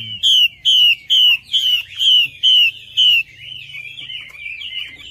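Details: Wambi, the Chinese hwamei, in lure song: seven loud, evenly spaced downslurred whistles about two a second, then quieter twisting warbles, with a faint low hum.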